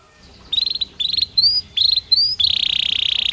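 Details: Belgian canary song, quieter: short groups of rapid notes rising in pitch, separated by brief gaps, ending in a continuous fast buzzy trill.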